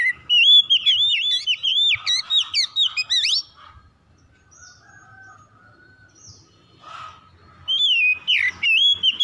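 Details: Kacer, or oriental magpie-robin, singing in a lure recording for birds that have stopped singing: a fast, rich stream of chirps and whistles, a pause with faint calls, then another energetic burst.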